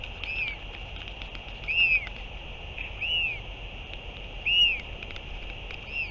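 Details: Northern royal albatross, 8 June 2023, at a feeding visit by a returning parent: soft, thin arched whistles repeated roughly every one to one and a half seconds against a continuous hum.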